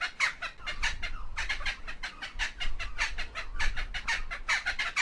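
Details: Kookaburra laugh in loud, raucous cackles that rise and fall in irregular groups, each note harsh and broad-toned, with a low rumbling background throughout.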